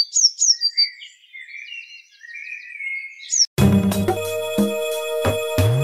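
A Eurasian blue tit sings very high, thin sliding notes and then a lower, rattling trill. After about three and a half seconds, music abruptly takes over.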